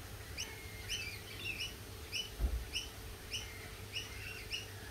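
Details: Lorikeet chirps: clipped, bright notes falling slightly in pitch, repeated at uneven intervals, a single soft thump midway, and a faint hum underneath throughout.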